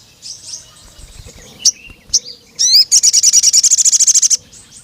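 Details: Crimson sunbird calling a rival male: scattered thin high notes and a quick buzzy flourish lead into a long, fast, evenly spaced trill of sharp, very high cuit notes lasting about one and a half seconds.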